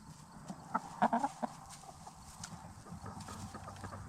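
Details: Black Star and Bielefelder hens free-ranging in a movable chicken tractor, settling in for the night; a few short soft clucks cluster near the middle over a steady hum and scattered clicks.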